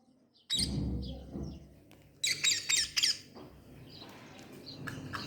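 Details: A rescued pet rose-ringed parakeet, kept uncaged indoors, gives harsh, shrill squawks in quick bursts of three or four over a low indoor rumble and handling noise.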